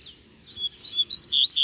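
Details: Double-collared seedeater (Sporophila caerulescens) singing while flying free in a town square in Brazil: a quick, bright run of high chirps and slurred whistles that grows stronger toward the end.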